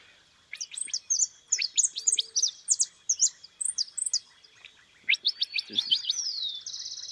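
A goldfinch sings a fast, tinkling run of high twittering notes, pauses briefly, then resumes with quick chirps ending in a thin buzzy trill.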